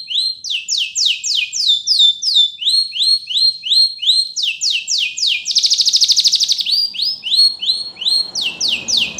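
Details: A Spanish Timbrado canary sings fast, high, repeated sliding notes at about three per second, with a dense metallic rattle in the middle. Faint low rumble near the end.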